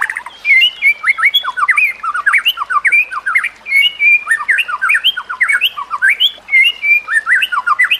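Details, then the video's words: Song of a white-rumped shama meant for training other shamas, with nature sounds and trickling water: dense, continuous warbling of quick sliding whistles and chattering notes, rich and varied, kept up without pause. "Masteran Murai Batu: Teknik Terbaru untuk Meningkatkan Gaya Berkicau"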